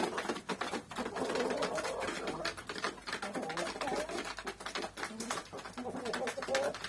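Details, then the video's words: Hens feeding on wheat make a steady, soft, cooing murmur of low throaty notes, broken by dense clicking pecks at the grain throughout. "the hens make a noise as they peck at the wheat"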